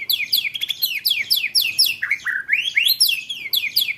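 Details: White-rumped shama song, 'roll tembak' type for training contest birds: high downward-sweeping notes repeated in quick clusters, with a brief lower rising slur in the middle.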